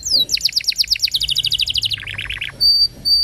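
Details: Canary tutor song used to train young canaries and prompt silent ones to sing: a fast series of high downslurred notes, then a lower rolling trill, then two short clear whistles.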